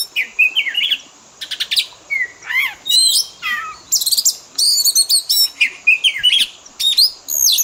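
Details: Oriental magpie-robin fill-in song for training pet birds: rich whistled phrases with up-and-down slurs, clipped high notes and short rattling bursts, delivered almost continuously and varied from phrase to phrase.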